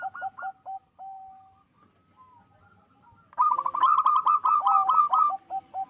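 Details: Zebra dove, local type, kept at a breeding farm in Bekasi, West Java, singing strongly to boost mating urge; a few short coos and one drawn-out note, then a loud rapid cascade of rolling cooing notes.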